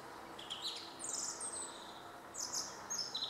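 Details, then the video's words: Song thrush singing: a few short, bright whistled phrases pitched high, some with quick trilled notes, separated by brief pauses over a steady background hiss. "Grive musicienne"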